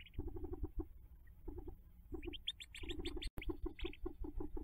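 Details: Hooded merganser ducklings leaving the nest, May 5, 2024: bursts of low pulsed calls in short groups, overlaid by a flurry of high, sharp peeps midway, with one brief dropout.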